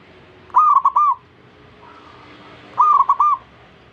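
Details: Zebra dove urging other doves to join in song, giving two short phrases of three or four soft rolling coos about two seconds apart, with a fainter dove cooing in between.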